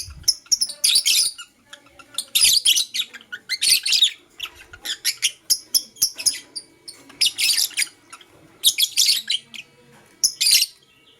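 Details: A pet lovebird of the blue opaline colour, heard in the morning with a chattering song of loud, high, grating chirp clusters that come in irregular bursts with short gaps, roughly every second or two.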